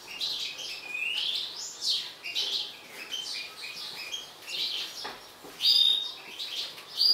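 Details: Excited mutant European goldfinch producing a quick stream of high twittering chirps, then louder clear whistled notes near the end.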